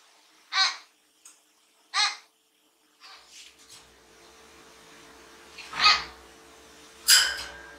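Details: A pet common hill myna, in its somewhat quieter natural voice, gives four loud, harsh, raspy squawks spaced unevenly over eight seconds, with softer notes between and a faint indoor hum.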